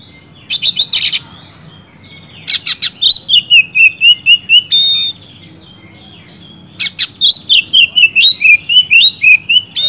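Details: Oriental magpie-robin singing steadily, played to coax reluctant magpie-robins into song: loud raspy bursts break into series of sweet whistled notes repeated about four per second, with ringing high overtones between phrases.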